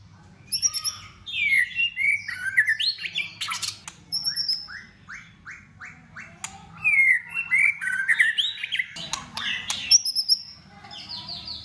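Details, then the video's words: White-rumped shama in cold-season competition singing, flicking its tail while delivering a varied, many-voiced song: rich whistled phrases, sliding and falling notes, and sharp high clicks in bursts, with brief pauses between phrases. "Chòe Lửa hót căng tạch đập đuôi sổ nhiều giọng. kích chòe Lửa hót đấu. giữ lửa mùa lạnh chòe Lửa hót"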